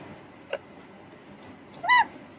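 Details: A young Alexandrine parakeet, about 2.5 months old and just beginning to talk, utters one brief, rising-then-falling nasal syllable as an early speech attempt, after a soft click; faint room hiss in the background.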